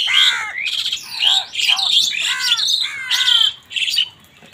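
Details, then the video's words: Crows squabbling over food with other wild birds; loud harsh squawking calls in rapid bursts, each descending in pitch, overlapping one another with short gaps between. "Crow bird crowing sound কাকের ডাক | Wild Birds fight with Crows for Food"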